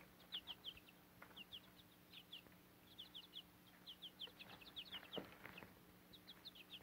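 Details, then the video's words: Nearly grown chicks with a Cochin mother hen on fodder in a backyard flock give a steady chorus of high, falling peeps in small runs of two or three, with light rustling underneath. "Baby Chicks And Mother Hen"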